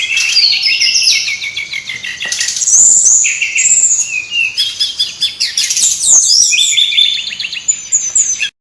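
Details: Lively brown-chested jungle flycatcher song used as a lure to make birds sing: long run of high warbled phrases and fast trilled notes, with short pauses near the third and sixth seconds.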